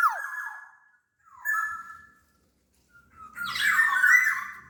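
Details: Kepodang from Sumbawa, larger than Bali or Java birds, singing energetically: two falling whistled phrases followed by a louder, rougher, more complex warbled phrase over faint low background rumble.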